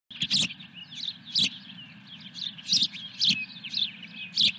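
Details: Osprey at its nest during a fish delivery, 17 May 2021: high, sharp chirping calls in quick bursts, with loud clicking thumps and a steady electrical hum behind.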